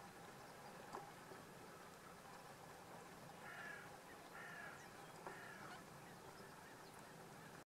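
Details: Spotted crake in the Rhine delta on 30 October 2016 gives three short, whip-like rising notes about a second apart, mid-pitched, over a steady hiss of wind or distant water.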